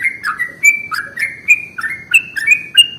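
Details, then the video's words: Bulbul lure sound of a sooty-headed bulbul: a lively chain of clear, gurgling whistles, each phrase dipping and rising, delivered in quick succession over three seconds against a quiet background. "SUARA pancingan paling AMPUH untuk Trucuk jenis apapun"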